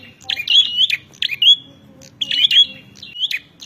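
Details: Rival-challenging song of a bar-winged prinia, with grouped scratchy buzzes and thin rising whistles in two clusters separated by a short lull.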